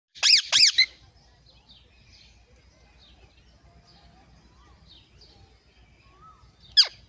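A rose-ringed parakeet gives two harsh, shrill screeches in quick succession, then a single screech about six seconds later, with faint chirps from other birds between.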